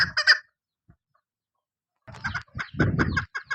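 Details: Female chukar partridge kept for hunting gives a short burst of hard clucking notes, falls silent, then resumes with rough chuck notes mixed with a low rumbling noise.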